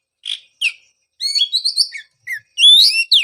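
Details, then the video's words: Oriental magpie-robin song to stimulate a bird silent after moulting: two short chirps, then a run of rapid whistled trills and rising sweeps, ending in a bright descending slur. "pancingan suara untuk terapi burung kacer"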